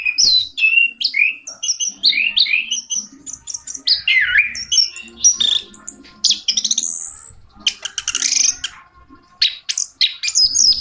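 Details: Orange-headed thrush delivering a long rich song of warbled, swooping whistles and scratchy mimic-like phrases, loud and continuous with only brief gaps.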